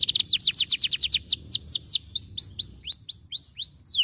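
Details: Canary singing at home to stimulate canaries to sing: rapid descending whistled notes at first, slowing into spaced upward-curving slurs.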